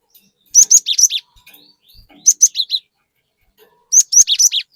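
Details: Chatty cinereous tit lure song: three matching bursts of five or six sharp, high whistled notes with down-slurs, repeated about every one and a half seconds, soft chirps between.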